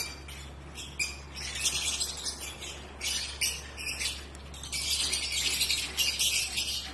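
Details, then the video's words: Pet African lovebirds during breeding season give bursts of harsh, high, scratchy chattering and squeaks in irregular runs separated by short pauses, over a steady low electrical hum. "Lovebirds Behavior Breeding Season"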